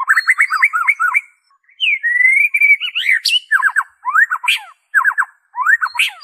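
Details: Original white-rumped shama (murai batu) song without imitated phrases, meant to stir kept birds into singing: rapid warbled trills, a long smooth whistle rising and falling, then repeated downward-sweeping bursts with short gaps.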